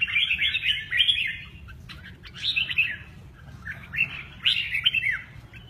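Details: Singing red-whiskered bulbul giving mơ ché nẹt song with wing display; rapid chattering warbled phrases come in three bursts separated by brief quieter gaps with a few clicks.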